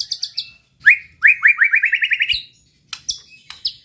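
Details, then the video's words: An energetic white-rumped shama lure song aimed at angering rival birds. Quick high ticks lead into a rapid string of about ten rising whistled notes, then scattered sharp chips. "pancingan muraibatu gacor bikin murai lawan dengar AUTO EMOSI TINGGI"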